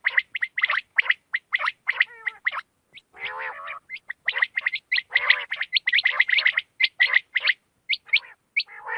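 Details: Night calls of quail: rapid, irregular bursts of harsh gargling notes, nearly continuous, with a few lower, drawn-out rattling phrases mixed in.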